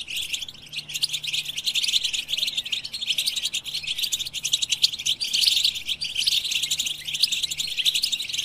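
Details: European goldfinch song: a dense, unbroken twitter of fast, high, tinkling notes with brief buzzy trills, continuing at a steady level throughout.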